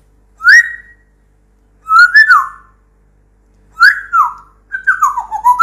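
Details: Pet African grey parrot indoors giving clear whistled phrases: a rising note, then pairs of up-and-down slurred whistles separated by pauses of over a second, ending in a quick run of descending whistles.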